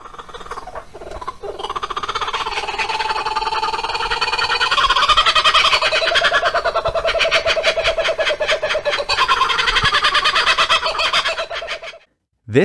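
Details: Two laughing kookaburras laugh together in a loud, rollicking chorus of rapid hoots and cackles, building and tumbling for about twelve seconds before stopping abruptly; a courtship or territorial song.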